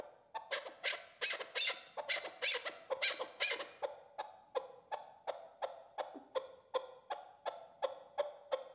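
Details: Chukar partridge from Qubodiyon, Tajikistan, kept for hunting as a decoy. A long, steady series of rough, clipped chuck notes, close-set at first, then settling into single notes about twice a second.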